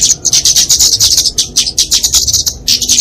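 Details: Flowerpecker (kemade, genus Dicaeum) fighting song used for training and luring small songbirds: dense, very high thin chirps and trills around a narrow band, delivered in rapid bursts with brief pauses.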